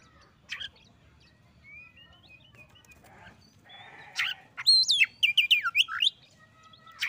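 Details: Oriental magpie-robin singing at a reluctant rival until it answers straight away: faint whistles build to a rapid run of loud, varied, sharply rising and falling whistled phrases, then quieter notes.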